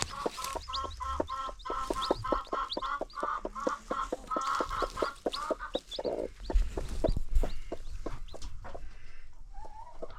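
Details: Free-range chickens with new baby chicks on a farm; a steady series of rapid, throaty clucks repeats about every half second, later breaking into scattered clucks and thumps with faint peeping in the background.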